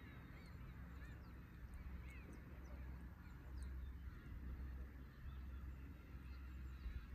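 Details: Flock of Black-tailed Gulls at a fishing port in Imabetsu, Aomori, calling in scattered nasal mews and brief yelps, irregular and overlapping, over a strong low background of breaking waves.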